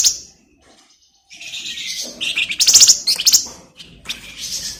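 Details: Actively singing flamboyan bird, a tutor song for magpie-robins: a sharp opening chip, a short pause, then rich tumbling phrases of shrill whistles and fast buzzy trills, loudest near the middle.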